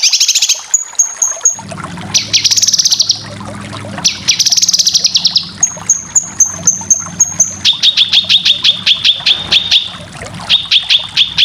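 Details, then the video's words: Cucak kinoy song used to train competition birds: alternating buzzy trills and thin high whistled series, then a long string of rapid sharp repeated notes, over a steady low hum. "Masteran full besetan cucak kinoy cocok untuk burung lomba"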